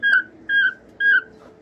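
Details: Three identical, level whistled notes from a cockatiel, each about a quarter second long, evenly spaced roughly half a second apart.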